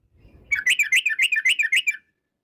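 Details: Yellow-vented bulbul singing a rapid lure song to draw out other bulbuls: a tight 1.5-second burst of about a dozen quick, slurred chirps, evenly spaced, in otherwise quiet surroundings.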